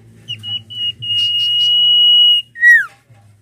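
Common iora: a few short whistled notes lead into a long, steady, high whistle held over a second, then a brief downslurred note. A faint low hum underneath.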